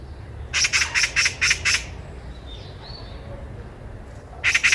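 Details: Eurasian magpie calling loudly and clearly along a Korean walking trail, five rapid harsh rasping squawks, a quiet gap with faint chirps, then another squawk burst beginning at the end.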